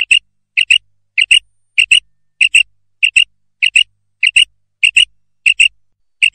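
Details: Female common quail calling, recorded for use as a lure to catch quail; sharp, high doubled notes repeated steadily about every 0.6 seconds, around ten paired bursts in a row with silence between them.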